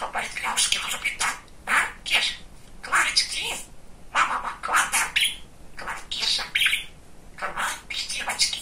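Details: Pet male budgerigar, described as very chatty and funny, talking indoors: rapid high-pitched scratchy babble of word-like syllables in short bursts with brief pauses.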